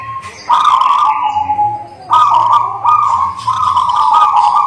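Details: Singing local zebra dove, song meant to make other doves reply: a sustained coo, a pause, then three linked coo phrases in quick succession, with a low hum underneath.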